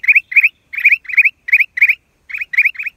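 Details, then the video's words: Black-crested bulbul, April 2023, giving clusters of two or three quick rising chirps, with short silent gaps between bursts and a brief pause before the last few notes; no other sounds. "เสียงนกปรอดเหลืองหัวจุก นกหัวถ่านใต้ Cang Jambul"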